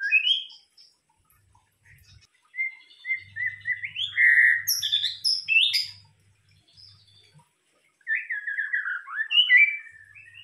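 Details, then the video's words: Murai batu, or White-rumped shama, singing as a lure (pancingan): bright whistles and chirps build into a loud, complex flurry with very high notes, pause, then resume with rich descending warbles over a faint low hum. "pancingan murai batu"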